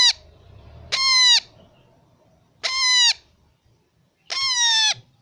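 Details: Baby parrot giving four loud, harsh, rasping squawks, each about half a second long with a slight drop at the end, spaced roughly every one and a half seconds over a quiet background.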